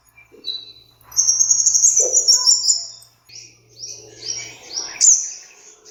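A sunbird gives rapid, high, thin twittering with sharp metallic chips and short sweeping trills, running in quick bursts with brief pauses.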